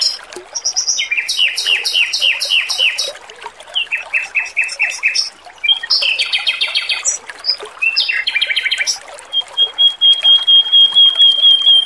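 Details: Male Oriental magpie-robin in strong, melodious song for training: rhythmic trains of repeated double notes, rattling buzzy bursts, chirps, and a long level high whistle near the end, over a trickle of water.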